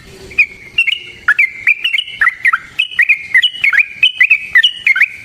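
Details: Yellow-vented bulbul fighting song used as a lure: a lively run of bubbly, slurred whistled notes, rising and dipping, repeated steadily after a short pause at the start.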